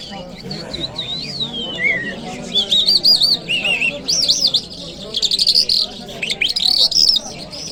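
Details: In Kabul city on a Friday morning, a Jal Mashhadi lark gives looping, clear whistles that rise and fall, interspersed with quick chirps and short buzzy trills, building into denser phrases toward the end.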